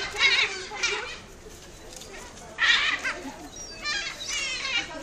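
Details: Great black-backed gull giving loud, harsh, wailing calls in separate bursts: one at the start, another near the middle, and a more drawn-out series toward the end, with quieter murmuring noise between them.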